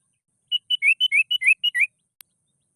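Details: Agitated sooty-headed bulbul challenging a rival gives nine clear notes in under a second and a half, steady high whistles alternating with lower rising slurred phrases, then a single faint click.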